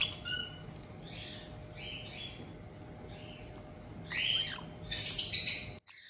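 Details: Captive white-bellied caiques in Tokachi, Hokkaido, Japan, a resident pair greeting a newly arrived two-month-old youngster in June 2023: soft scattered chirps, then a rising squeal and a loud shrill screech near the end.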